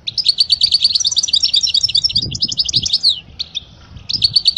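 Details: Song of a European goldfinch meant for teaching young goldfinches: quick, bright twittering phrases of tinkling notes with a short pause before the song resumes, against faint low noise.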